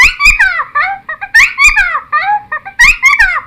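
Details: Cucak timor song played as a lure and training recording for untamed birds: loud, varied whistled phrases that slur downward, rich in overtones, coming in quick bursts with short gaps between them.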